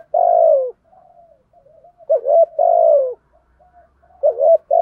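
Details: Spotted dove decoy bird cooing to entice wild doves: opens with a long falling coo, then soft murmured notes, followed by two more phrases of a quick rising coo leading into a drawn-out descending one.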